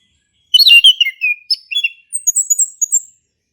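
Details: Male orange-headed thrush singing as a prompt to coax silent thrushes into song: a rich run of varied whistled phrases, falling slurred notes giving way to high thin squeaky trills.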